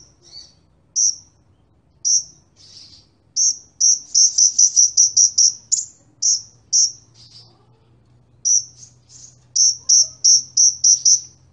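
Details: Sunbird singing in a lively head-to-head of two kinds of sunbird: high, clipped chips in irregular bursts, some rapid strings of six or seven, with pauses between; a quiet low hum underneath.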